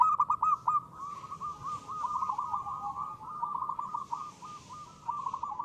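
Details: Local zebra dove (perkutut) singing actively in the crisp 'ngristal' style, used as a lure: bursts of short, rapid cooing notes around a steady tone, repeating in clusters, with a faint hiss above.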